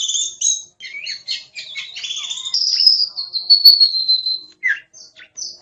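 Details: Kacer (oriental magpie-robin) masteran song: opening twin-toned whistles, a run of scratchy varied notes, then a long steady high whistle slowly falling, ending with a few short clipped notes.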